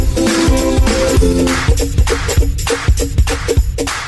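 Electronic dance music with a steady thumping beat and layered synth tones, with no animal sounds heard.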